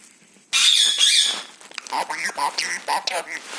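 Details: Pet talking parrot playing inside a home; a second-long harsh, raspy screech, then a run of short speech-like chattering syllables pulsing about three times a second.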